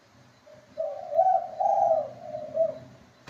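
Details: Spotted dove giving one cooing phrase: a soft low opening note, then louder, husky, drawn-out coos that swell and fade, ending with a short final coo; faint low hum underneath.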